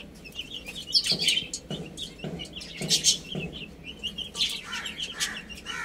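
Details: Baby chicken chicks playing and eating, giving high, short peeping chirps in quick uneven runs, mixed with soft broadband tapping and pecking noises throughout.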